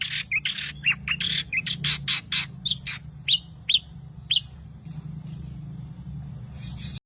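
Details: Long-tailed shrike giving a run of varied harsh, scratchy notes that slow and thin out toward the middle, then fall silent, over a low background hum.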